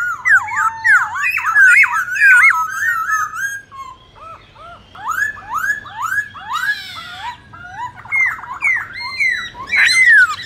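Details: Black-throated laughingthrush giving a long many-voiced fighting song to rouse other birds: varied slurred whistles repeated about one and a half per second, with a brief harsh burst midway and a loud final sweep.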